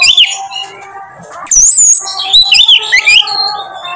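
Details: Oriental magpie-robin (kacer) song played as a lure to bring out a bird's repertoire: long wavering high whistles, then looping rising and falling phrases and clipped squawks, set against a faint steady hum.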